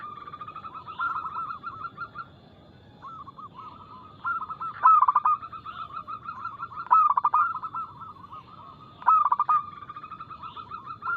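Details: Local zebra dove with a quick, loud, crystal-clear song played to prompt caged doves to coo. Three strong stuttered coo bursts occur about two seconds apart after softer cooing, with a chorus of other doves throughout.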